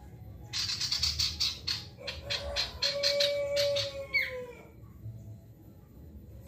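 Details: Energetic song of a male ashy tailorbird, played to spur other birds into singing: fast runs of high, clipped notes, joined midway by a long level lower whistle that ends in a short upward squeak.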